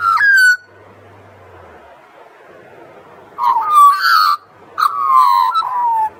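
Australian magpie carolling in three rich, fluty bursts of gliding, warbled notes, with a soft steady wash of surf between phrases.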